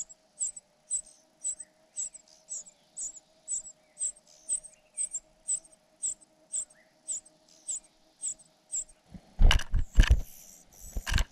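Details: Hungry cuckoo chick tended by foster parents, giving short high-pitched squeaks at an even pace, nearly two per second, before a burst of loud scratchy rustling at the end; faint constant hum underneath.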